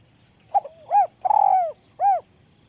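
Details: Cooing of a spotted dove with a small, thin voice. A brief opening hoot leads to a rising-falling note, a drawn-out trembling coo that drops away, and a last clear arched coo over quiet insect sounds.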